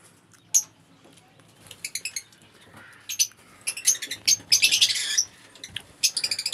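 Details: Captive colony of mixed-mutation lovebirds, including green fisher, albino, blue fisher and green opaline birds: scattered sharp, high chirps and short chattering bursts from several birds, with soft wing flutters between calls.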